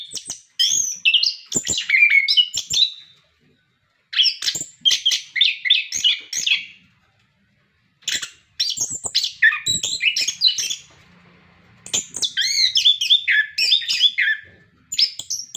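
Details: Orange-headed thrush in full song, played to stimulate captive birds to sing, pouring out dense rapid phrases of twittering, whistles and scratchy notes in long bursts broken by brief pauses.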